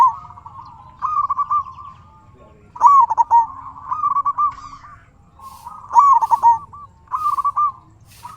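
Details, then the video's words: Local zebra dove, a strong singer, cooing to prompt answers and stir other doves: repeated trilling coo phrases, each opening with a sharp staccato burst, about every three seconds, over a low hum. "Suara burung perkutut sangat istimewa 100% auto nyaut"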